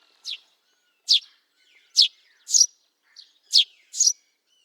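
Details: Wild Eurasian tree sparrow giving short, bright chirps, seven in about four seconds, spaced unevenly with some close pairs; each note is sharp and high, and there is no other noise.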